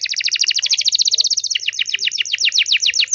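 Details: Energetic canary song played to make other canaries answer, a rapid run of repeated high chirping notes that shifts halfway to a slightly slower trill of downslurred notes, with a faint low hum beneath.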